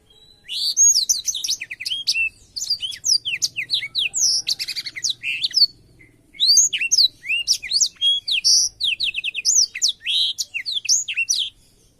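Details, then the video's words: Black-throated canary in full song for canary training: after a brief quiet start, long phrases of rapid, varied high chirps and slurred whistles, broken by a short pause near the sixth second, then another lively burst. "suara burung blackthroat untuk masteran kenari"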